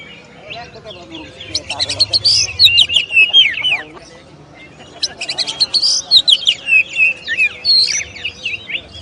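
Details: Oriental magpie-robin (kacer) singing a tutor song of champions: two long rapid outbursts of sharp chips, whistles and trills separated by a short quiet gap.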